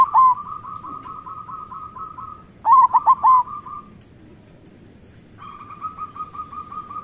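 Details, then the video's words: Local zebra dove song, a lure for doves reluctant to sing. A level series of quick, even coos is broken by a few loud, stuttering accented notes. The series then fades and resumes as softer repeated cooing. "Perkutut lokal gacor Suara Besar"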